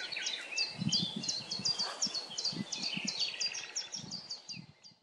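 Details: Forest-recorded chaffinch song: quick, evenly spaced high notes in a long descending run, over other distant birdsong and intermittent low thumping noise.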